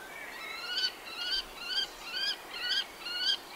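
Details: Common kestrel (Falco tinnunculus) giving a series of six drawn-out, rising, slightly nasal whining notes with strong overtones, one about every half second, steady and regular against faint background hiss.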